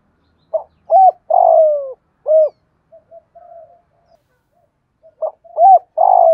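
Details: Spotted dove, 'thổ pha đồng' voice, cooing to urge other doves to answer: one full four-note phrase of short note, arched note, long falling note and rounded final coo, a pause with faint soft notes, then a second phrase starting.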